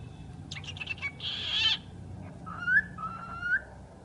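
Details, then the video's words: Talking bird with a rapid rattle of clicks, a harsh buzzy hissing burst, then two whistled phrases that each rise sharply at the end. "the talking bird"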